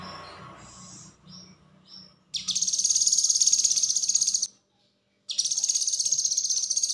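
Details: Cucak kinoi, a blue-winged leafbird, singing konslet-style as a training recording for other songbirds. Short high whistled notes and low murmur open the clip, then a fast, buzzing, high-pitched pulsed trill about two seconds long, and another trill after a pause.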